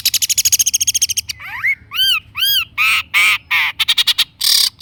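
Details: Long-tailed shrike in gacor lure song: a rapid burst of clipped notes, then harsh grating phrases alternating with arched, whistled swoops, closing with more quick clicks and a rasp.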